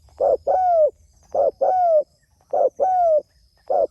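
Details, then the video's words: Calling out to others, a spotted dove gives mellow low coos in pairs: short note, then a drawn, gently descending coo, repeated regularly about every 1.1 seconds; faint high buzzing in the background. "Suara Burung Tekukur Gacor Memanggil Temanya"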